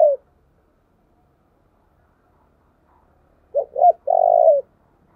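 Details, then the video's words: Lure song of a spotted dove used to attract wild birds: the tail of one coo, a long silence, then two short rising coos and a long, drawn coo that falls at the end. "tiếng kêu của chim cu gáy âm thanh rất chuẩn để kích bổi"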